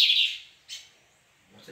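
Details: Lined seedeaters (white-glove bigodinhos) singing against each other in a duel on 17 May: a quick burst of high, bright twittering, then one short sharp note, with a faint low murmur at the end.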